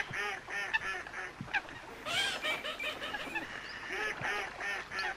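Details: Coot calling: a run of nasal, harmonic honking notes repeated in quick bursts, with overlapping calls from other waterbirds and some high, sharp squeaks in the background.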